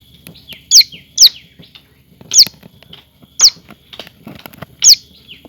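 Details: Common tailorbird chick sitting and moving its wings, giving sharp, high, quickly falling chirps, five in about five seconds, irregularly spaced, with faint rustling between them.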